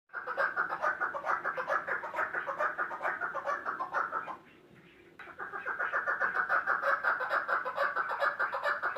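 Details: Chukar partridge giving its excited call: a dense, continuous stream of rapid clucking chuk notes that stops briefly for about a second midway, then resumes just as fast.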